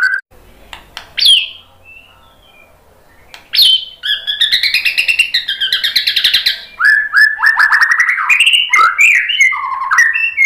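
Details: White-rumped shama in full song: scattered sharp notes and a soft whistle, then a long rich passage of rapid warbled, rising and falling phrases and fast trills, varied and continuous after a quiet start.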